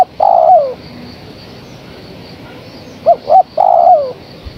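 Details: A female spotted dove calling a male: a long falling coo, a pause of over two seconds, then two short coos and another long coo sliding downward, over a faint steady hum.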